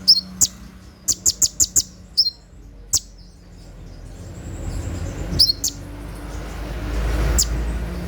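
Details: Olive-backed sunbird, or konin, in night 'tembakan' song for caged-bird training: a quick series of five or six high ticks and whistles at the start, then sparse chirps as a rising low rumble of noise builds.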